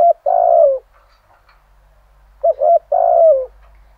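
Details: Decoy spotted dove at dawn, singing the full 'thổ' voice style to provoke wild rivals: low mellow coos, a short phrase then a long falling coo, repeated after a pause, in a quiet setting.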